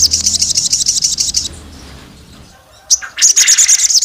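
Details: Female olive-backed tailorbird calling to the male and stirring rival males: a fast run of shrill repeated notes, a quiet gap, then another rapid high-pitched pulsed burst.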